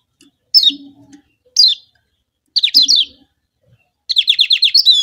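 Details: Lombok yellow kecial, a white-eye, singing as a lure to provoke rival kecial into song: separate bursts of high, sharply descending slurred whistles, ending in a rapid run of about seven chirps, with faint low hums between phrases.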